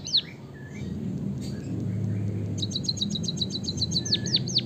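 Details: White-headed munia from Java, with a canary-style fill-in for training other birds: a faint start with a low hum, then a quick, even train of high chirps ending in several swooping downward whistles.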